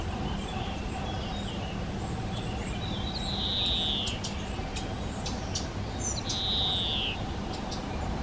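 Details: Collared flycatcher nesting in a garden, a cavity breeder using nest boxes; two drawn-out thin whistles sliding slightly downward, about three seconds apart, over a steady low hum and faint ticking sounds.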